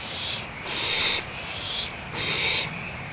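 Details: Barn owls at Audubon Starr Ranch Sanctuary on 1 April 2011: two strong, noisy hissing screeches, each about half a second, separated by softer breathy hisses in between.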